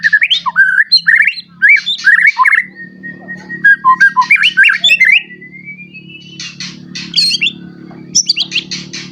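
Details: White-rumped shama in captivity singing a varied song to provoke other shamas: rapid whistled phrases, a drawn-out rising whistle, then buzzy rattles, with a steady low hum throughout.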